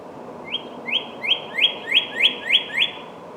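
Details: Northern cardinal singing a steady series of seven upslurred whistled notes, evenly repeated about three times per second, bright and clear over a faint background hiss.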